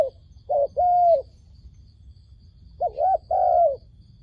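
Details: Decoy dove used to lure wild doves into a trap, giving two paired coos, each a short wavering note followed by a longer steady note, with a quiet pause between pairs and a low background rumble.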